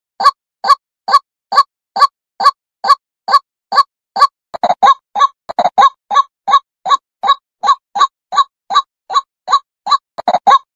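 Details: A female white-breasted waterhen gives loud, hoarse croaking notes about twice a second at a steady pace, speeding into doubled notes near the end.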